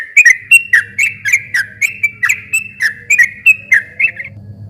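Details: Sooty-headed bulbul giving a continuous rapid song meant to provoke a quiet bulbul into singing back. Quick liquid whistled phrases repeat several times per second over a steady low electrical hum, ending abruptly.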